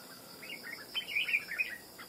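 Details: Red-whiskered bulbul trapped from the wild over almost two months, now singing readily: a brief, fast string of bright, bubbling warbled notes rising and falling, over a faint steady high background tone.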